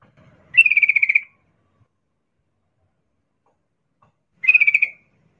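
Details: Female sooty-headed bulbul in breeding condition calling to a male: two pulsed, buzzy trills, each under a second and separated by about three seconds of silence.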